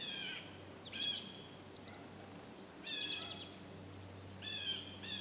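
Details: Two young Black-capped Chickadees leave a nest box, entering the world for the first time. Bright, high chirps fall in three quick clusters about two seconds apart, each a rapid run of short notes, against a faint low background drone.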